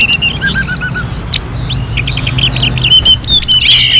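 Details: Rapid orange-headed thrush song for bird training: chattering trills and quick whistled runs, a short series of repeated low notes, then thin high whistles, with a constant low hum beneath.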